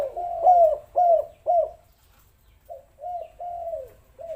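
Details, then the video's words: Spotted dove call played to lure reluctant doves into calling: a loud run of three or four hooked coos, a short silence, then a softer series of slurred coos. "pancingan maut tekukur derkuku malas bunyi langsung gacor"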